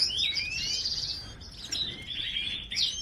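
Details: Goldfinch song of drawn-out high rising and falling slurred notes run together in a bright twitter, ending with a sharp chirp; a soft hiss lies beneath.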